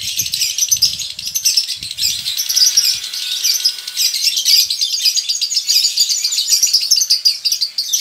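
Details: Male lovebird kept in a colony, giving a long ngekek trill that signals breeding condition: a dense, continuous high chattering trill running the whole stretch with rapid pulses and no pauses, plus a few soft low knocks early on.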